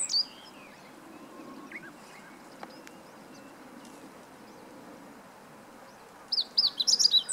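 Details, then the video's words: Meadow Bunting song from 20 March 2015. Several seconds of quiet outdoor ambience with faint, scattered distant chirps lead into a loud, rapid burst of high, sharp twittering notes near the end. "囀るホオジロ hoojiro - Meadow Bunting"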